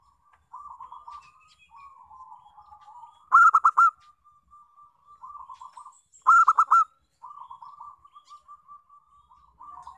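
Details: Zebra dove of local stock, a lure to spur other doves to sing: gentle rolling coos linked by soft trills, punctuated twice by louder staccato bursts of quick, hard-edged notes.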